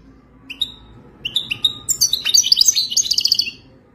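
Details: Goldfinch song meant to attract a mate and teach a caged goldfinch: a few thin separate chirps first, then a rapid, jumbled run of high twittering and tinkling notes building for about two seconds before fading.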